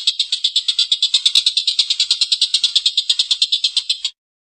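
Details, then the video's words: A collared kingfisher's coarse laughing call: quick, raspy 'kek' notes repeated in a fast, even series for about four seconds, then silence. "Suara tengkek buto||masteran burung gacor ngekek panjang suara kasar"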